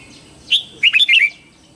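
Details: A red-whiskered bulbul sings in the morning to train young white-cheeked birds: one clear rising note, then a fast, fluty three-to-four-note warble that ends on a falling slur.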